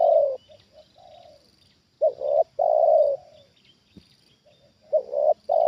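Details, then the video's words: Trained spotted dove answering a wild bird: loud phrases of two short rising coos and a long level coo, separated by softer distant coos, over a thin high-pitched insect drone. "Inilah Reaksi Tekukur Ajaran Di Turunin Burung Liar Untuk Kedua Kalinya"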